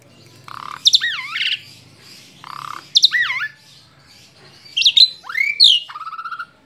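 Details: Asian pied starling, a tame pet bird, singing phrases that open with a low buzzy note before looping, wavering whistles, repeated about every two seconds, ending in a burst of sweeping whistles.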